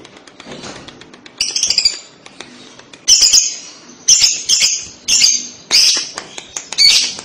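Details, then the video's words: Lovebird chatter used to bait young lovebirds into replying: repeated harsh, high chattering bursts about once a second, each made of fast clipped notes, separated by quieter background. "Pasti lovebird paud akan nyaut dengar kekek an labet ini, cara jitu pancing labet paud bunyi"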